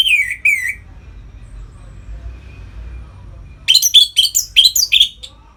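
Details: Captive Orange-headed thrush singing in the ngeplong style, used to stir other birds into breeding mood: a short slurred whistle pair, a long pause over low hum, then a rapid burst of rich, varied, warbling whistled notes.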